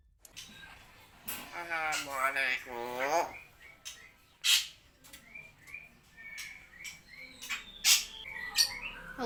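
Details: Common hill myna mimicking human speech such as "Assalamualaikum" and "Allahuakbar": a run of husky, voice-like syllables with stacked tones, followed by sharp whistled notes and clicks spread unevenly through the rest.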